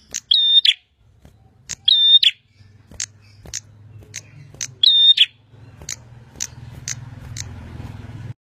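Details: Prenjak, the bar-winged prinia, singing vigorously: three loud, harsh doubled notes with strong harmonics early on, followed by rapid high clicks while a low droning hum builds in the background.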